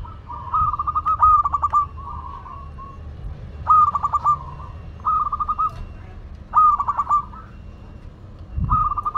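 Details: Local zebra dove from Madura singing busily, repeating phrases about every two and a half seconds, each a whistled note breaking into a rapid burst of four to six cooing pulses and then a softer trailing hum.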